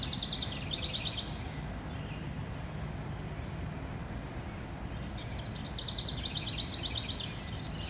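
A house wren gives two rapid, bubbling bursts of high chattering notes, one at the start and one near the end, over a steady low rumble.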